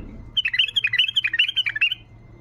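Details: Wild bulbul giving flight calls: a quick bubbling string of warbled, liquid notes, about a dozen in under two seconds, rising and falling in pitch, against a faint steady hum.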